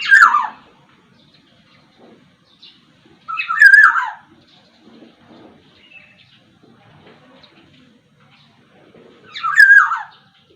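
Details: Sumbawa black-naped oriole, a captive songbird, giving three short rich slurred calls with a clear falling whistle, spaced roughly three to six seconds apart, quiet between.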